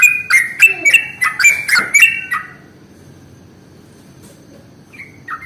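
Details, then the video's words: Sooty-headed bulbul lure song for drawing in other bulbuls: about two seconds of rapid, liquid whistled phrases, then near silence with one or two faint distant notes at the end. "SUARA pancingan paling AMPUH untuk Trucuk jenis apapun"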